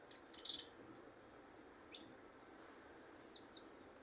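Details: A young goldfinch nestling, at an early stage of song, twitters in short bursts of high, tinkling notes and quick sliding trills. It pauses between phrases over a faint low hum.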